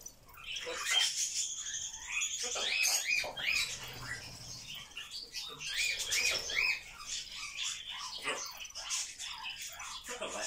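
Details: Pet grey parrot talking non-stop all day: a busy run of squawks, chirps and whistled syllables with speech-like bursts, tumbling along several times per second with brief pauses.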